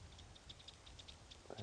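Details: A batis gives alarm calls on a morning safari drive, possibly at a leopard nearby: a quick, uneven series of dry, high ticking clicks, several per second, over a low vehicle rumble and a brief voice at the end.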